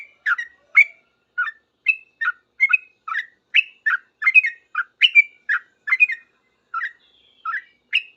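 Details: Yellow-vented bulbul singing vigorously when answered by other bulbuls, in 'ropel' style: a dense chain of quick warbled chirps and doubled notes, running almost without pause.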